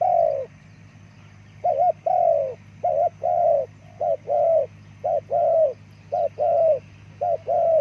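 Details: Spotted dove giving a rhythmic series of mellow coos, short paired notes alternating with longer falling ones, roughly one per second, over a constant low drone.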